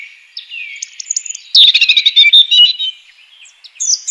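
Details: European robin singing in the wild: soft thin notes build into a loud, fast tumbling warble of chirps and trills lasting over a second, followed by quieter high fragments.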